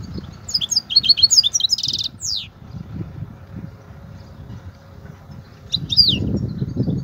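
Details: European goldfinch in the Kobia singing style: a quick phrase of high chirps and a buzzy roll, then a long quiet gap and a short final twitter, with low rumbling background noise.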